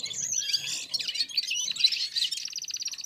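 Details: Red-fronted serins singing in unison, warming up after eating, with other birds nearby; a dense high jangling twitter of tumbling notes, ending in a fast, evenly pulsed buzzy trill.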